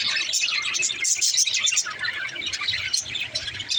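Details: Several budgerigars in high, rapid, overlapping chirps and twitters, one a mother sitting in her nest pot, the chatter running without pause.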